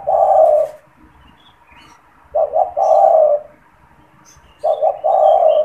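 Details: Caged spotted dove that calls often, used as a lure for trapping and to stimulate other doves: low mellow coos, two short notes then a long drawn note, phrase repeated about every two seconds, faint higher chirps of other birds.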